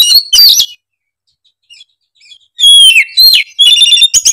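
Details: Kacer (oriental magpie-robin) singing emotionally and releasing its learned song stock: a loud chattering burst, a quiet pause with soft chips, then bright descending whistles and a fast buzzy trill.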